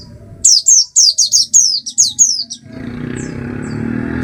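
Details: Oriental white-eye delivering a quick series of about nine high, downward-slurred chirps in rhythmic succession, followed by a steady low background rumble.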